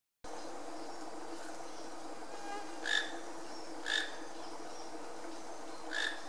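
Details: A toco toucan in Iguazu National Park, north-eastern Argentina, gives three short, harsh croaking notes spaced about a second or two apart over a steady background hum.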